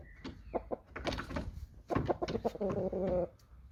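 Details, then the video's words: Aseel rooster giving a short, hoarse crow: rough opening syllables, then a strained, held note lasting just over a second, preceded by a few clucks and scuffling. "Aseel Rooster - Original Sound"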